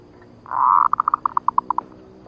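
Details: Zebra dove lure call used to attract doves for trapping: a drawn-out soft note, then about ten short, evenly spaced hooting notes that slow slightly and drop a little in pitch, in quiet background.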